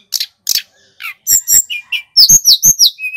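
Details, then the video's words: Male little pied flycatcher from Banyuwangi, singing loudly as a tutor and lure song for jungle flycatchers: sharp clicks, then a run of high, slurred, downward whistles and thin chirps, ending on a short flat whistle. "Tledekan gunung (SULGUN) GACOR | Suara masteran & pancingan terbaik burung SRDC / Sikatan rimba"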